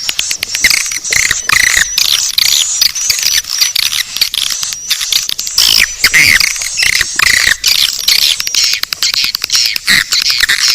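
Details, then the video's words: Swiftlets in a lure sound called Naga Birahi, intended to attract swiftlets: crowded high chirping and clicking chatter with occasional slurred squeals, continuous over the whole stretch. "Suara panggil burung walet"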